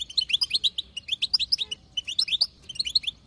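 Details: Wild female European goldfinch giving excited chatter to spur a male's song: a quick stream of high tinkling twitters, sliding chirps and ticks in two phrases split by a brief pause.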